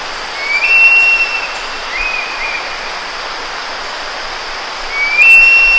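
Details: An adult male Javan hawk-eagle bringing fresh food to its young chick gives two brief, thin, high whistles about four seconds apart, each rising slightly then holding steady, over a constant hiss of insects.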